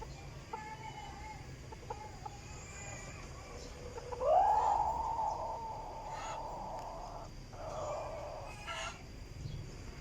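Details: Decoy chicken, recorded 2022, giving a drawn-out call that slurs upward and then holds a level, tonal note for about three seconds, with faint clicks and distant noise around it.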